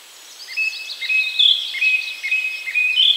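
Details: A song thrush (Turdus philomelos) near 53.35N, 22.60E in Poland repeats a short, bright whistled note about twice a second, with higher trilled flourishes, over a soft background hiss.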